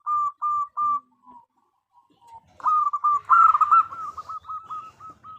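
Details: Female zebra dove calling to attract a male, used as a lure call: three clear, even whistled coos, then a short pause and a fast, slightly hoarse run of repeated hooked notes at a steady pitch, with faint chatter behind.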